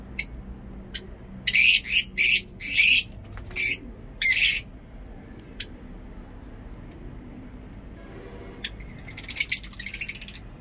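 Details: Lovebird in a home aviary: several harsh, high, screechy squawks in quick succession, then a quiet spell and a final burst of rapid thin chattering chirps.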